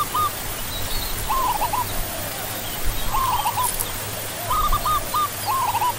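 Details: Zebra dove (Geopelia striata), known locally as perkutut: a series of short, rolling, staccato cooing phrases, each a quick burst of trilled notes, repeated about every second, over a steady low hum with faint higher chirps behind.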